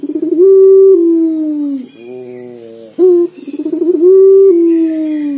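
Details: Local puter dove, an eager caller, giving dor calls said to sound like weeping: two long, drawn-out, drooping coos, each led in by a rolling stutter, separated by a quieter low tone and a short sharp note.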